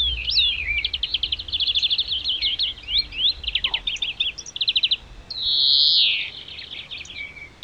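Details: Singing European greenfinch in natural surroundings: several fast, rattling trills and twitters in quick succession, broken by a long wheezing, nasal 'dzweee' note, then more twitters; quiet low rumble underneath.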